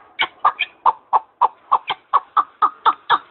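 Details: Partridge calling: harsh, clucking chuck notes repeated about four times a second in a steady, rhythmic series, with some notes sharper and higher.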